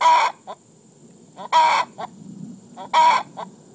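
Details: Hen's egg song after laying: three loud, raspy squawks about every one and a half seconds, each trailed by one or two short clucks, over a low background murmur.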